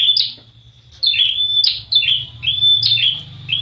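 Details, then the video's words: Prinia calls used as a lure to make prinias call quickly: sharp, high chirps with quick upward flicks and a short level whistle, repeated in clusters about every half second, over a faint low hum. "Suara Prenjak Wulung Jelas Pancing Prenjak Cepat Bunyi"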